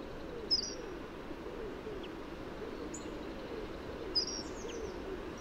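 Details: Hawfinch giving a few brief, sharp, very high ticking notes spaced about a second or more apart, some doubled, over a steady low background hiss.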